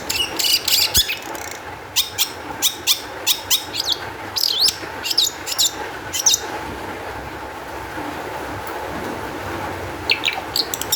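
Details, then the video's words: Long-tailed shrike song used as a lure to make other shrikes sing: sharp broadband chirps in quick bursts over the first six seconds, a pause, then more notes near the end, with a steady low hum behind. "cendet gacor EMOSI TINGGI cocok untuk PANCINGAN CENDET AGAR BUNYI"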